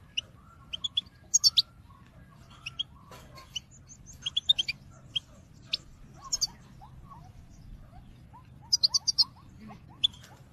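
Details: Calling song of a European goldfinch filmed in 2022 to spur other birds into song: sharp high chirps and a few higher squeaky bursts in irregular clusters, with fainter lower whistled notes and background hum.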